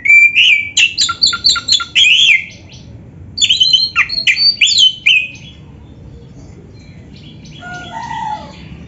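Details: Vigorous oriental magpie-robin song dense with filler phrases, given as two loud runs of sharp, repeated chirps and whistles, followed by softer, lower descending notes.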